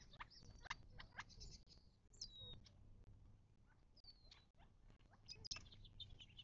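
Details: Desert birds at a watering hole in the western Mojave, southern California, close to Joshua Tree National Park, 19 March 2024. Quick high chirps and a few thin slurred whistles come in loose bursts over constant low noise.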